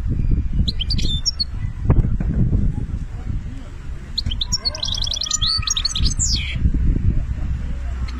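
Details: European goldfinch from Algeria in benna-style song: a short high twittering phrase, then a longer run of fast chattering notes and a rising buzzy trill, against heavy low rumble and faint voices.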